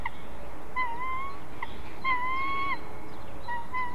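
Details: White-tailed eagles in Ķemeru National Park, caught on a live camera during a family dispute over prey: drawn-out whistled whining notes, slightly rising, held nearly a second each, in three bursts over steady background hiss.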